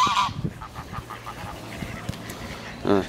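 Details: A loud goose squawk opens, followed by a soft string of quick honks and another loud squawk at the end, from two geese calling together on a rare occasion.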